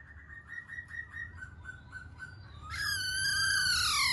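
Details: Black-throated laughingthrush singing: a row of short, evenly spaced whistled notes on one pitch, then a loud, rich, drawn-out whistle that starts low, rises and slowly slides down at the end.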